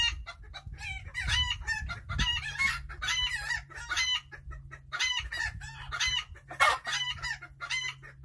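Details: Chickens enjoying their day, giving dense, overlapping bursts of clucks and short squawky calls, several birds calling at once with barely a pause, over a steady low hum.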